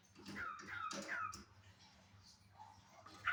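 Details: A cockatiel walking around gives a few soft, descending whistled notes in quick succession, falls quiet, then ends with one louder rising-then-falling whistle over a low steady hum.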